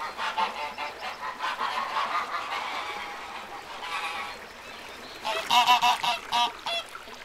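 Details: Ducks on a pond give harsh, nasal calls in uneven bursts, with a louder clustered run of honking notes near the end.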